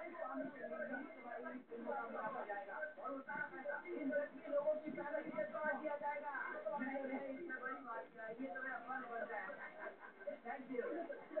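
An Indian ringneck parakeet chatters continuously in a speech-like voice, with rapid mimicked syllables throughout and no pauses. The recording sounds like a small room.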